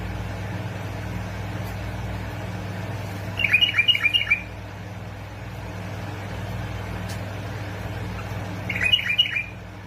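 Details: Bulbul from Basra and Fao, Iraq, in a recording meant to trigger bulbuls to sing. Two separate bursts of rapid, clear, chirping notes, several seconds apart, over a persistent low-pitched hum.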